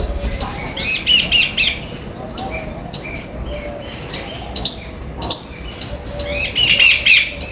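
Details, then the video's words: A flock of jungle babblers visiting a house and backyard garden for food and snacks chatters busily. Harsh, squeaky chirps overlap several times a second, with a few higher whistled notes over a low background rumble. "Babblers come in house for Snacks / Backyard birds 🐦/ Flock of Birds chirping sounds"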